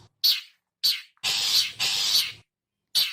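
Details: Long-tailed shrike call used as a lure for wild birds: five harsh, grating bursts, with three short rasps and two longer drawn-out scolding notes in the middle, with clean silent gaps between them.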